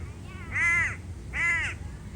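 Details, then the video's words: Crow in a park giving two drawn-out, harsh, arched caws about a second apart, each rising then falling, over low rumbling background noise. "Call of the crow"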